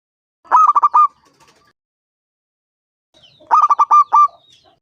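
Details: Local zebra dove, aged five years, with a large voice, singing to entice other doves to respond. Two phrases of staccato cooing, each a run of about six short notes ending in a longer one, three seconds apart.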